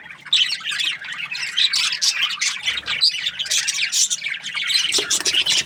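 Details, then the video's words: Budgerigars chirping at morning, a lively jumble of shrill chirps, chattering warbles and squawks from multiple birds, continuous and fairly loud throughout. "Amazing budgies chirping sounds in the morning"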